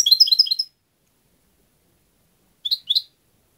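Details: European goldfinch song: a rapid run of bright twittering notes high in pitch for under a second, silence, then two short chirps, with no background noise.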